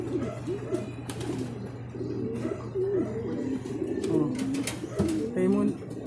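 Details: Several racing pigeons at the loft in Guiguinto, Bulacan, following a second truck training release; bowed, rising-and-falling coos overlap, with a steady low hum and scattered wingbeat or scraping noises.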